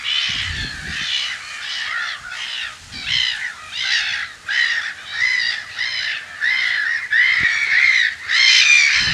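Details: Black-headed gulls at their nests in spring, mid-March 2012, filmed from an observatory in the Brenne, Berry, France, give harsh, grating, rasping calls, overlapping and repeated more than once a second, with a few low thumps of wind or handling.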